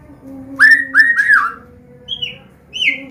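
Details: Medan white-rumped shama singing a combination song to teach young birds: three loud fluty whistles in quick succession, then two higher clear down-slurred notes, with a steady low hum behind.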